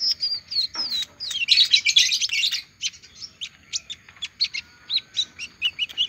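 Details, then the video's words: Olive-backed sunbird singing after finishing its moult: opens with thin descending whistles, bursts into a dense buzzy twitter, then settles into spaced sharp chirps roughly two or three per second. "Kolibri ninja selesai rontok masih mau bunyi"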